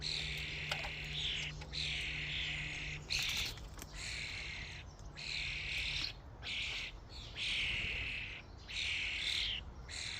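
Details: Common starlings swarming a feeding station make continuous grating, buzzy chatter broken by brief lulls, with thin whistles inside the din and a low hum early on.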